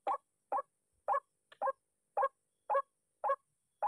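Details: White-breasted waterhens angered by decoy playback during trapping give a series of eight harsh, nasal croaking notes spaced about half a second apart, loud and steady with little else audible.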